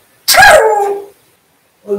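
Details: African grey parrot making a single voice-like utterance: a harsh, noisy onset that settles into a strong tone sliding gently downward, lasting under a second, followed by a brief faint sound at the end.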